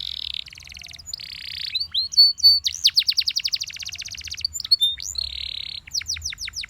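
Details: Belgian canary singing in the morning: a fast, varied song of buzzy sustained trills, rapid rattling runs of repeated notes, and sharp upward-sweeping whistles, the phrases changing every second or so, with a faint low hum underneath.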